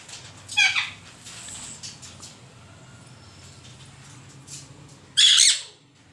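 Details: Green pet parrot giving two loud, harsh, high squawks, one near the start and one near the end, with quiet chirps and soft rustling between them.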